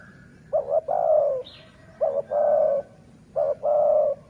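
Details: Three regular cooing phrases from a city-line decoy dove, each a quick double note and then a longer steady low coo, repeated about every one and a half seconds.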